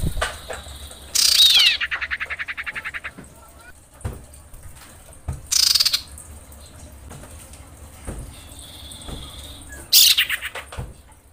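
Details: A female common iora calls to draw the male, giving three loud harsh rasping bursts about four to five seconds apart. The first trails into a long, fast sequence of pulsed notes, and a thin steady whistle is heard between bursts.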